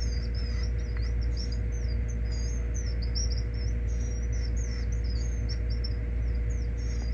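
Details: A hand-fed gray kingbird nestling in rehabilitation, found weak at a school, gives thin, high, squeaky chirps in quick irregular bursts over a loud low hum and a faint steady tone.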